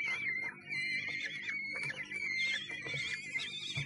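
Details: At a nest box in Sussex on 1 June 2011, a common kestrel utters a near-continuous thin whining call, slightly quavering and barely pausing, with soft scuffling and a low background hum.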